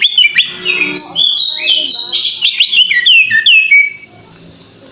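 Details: Greater green leafbird in full gacor: a tumbling medley of loud whistled, slurred and chattering notes that keeps changing pitch, then fades into a quieter close.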